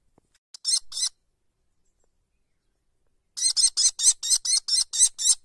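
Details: Kestrel chicks in a nest, young and still in white down. A short pair of scratchy, rasping notes, then after a silence a fast run of about ten grating calls.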